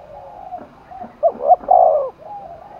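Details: Spotted dove from Đồng Nai, Vietnam, cooing for a contest. Low soft notes, then one mellow phrase of two quick hoots and a long, level coo, over a faint hiss.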